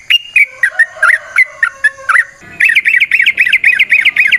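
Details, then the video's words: Wild yellow-vented bulbul in long ropel song, played to lure other bulbuls: spaced wavering whistles, then a fast even series of rising-falling notes repeated about four times a second. "Trucukan GACOR ngalas ROPEL PANJANG suara alam"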